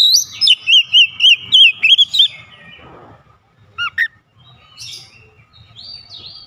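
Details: Oriental magpie-robin singing mimicked fill phrases: a fast series of about eight bright, looping whistled notes in the first two seconds, then a couple of isolated chirps and faint high trills.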